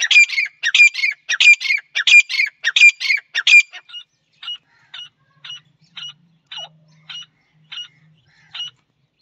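A male partridge gives loud, harsh, ringing notes in a quick series, about two per second, then softer single notes at a slower pace.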